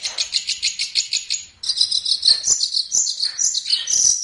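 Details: Long-tailed shrike (pentet or cendet) in a training song for other birds. Fast, even, pulsing high twitters, a brief pause, then a busier stream of squeaky warbled notes.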